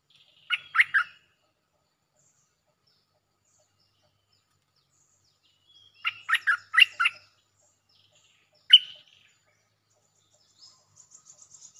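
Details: Song of a bulbul played as a lure, with doubled phrases: short clusters of three or four sharp chirps separated by long silences, one single loud note, and a soft high ticking series at the close.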